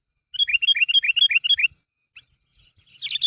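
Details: Sooty-headed bulbul calling its mates to get them singing; a quick, evenly spaced string of about ten clear, slurred notes over one and a half seconds, then quiet with a few soft chirps.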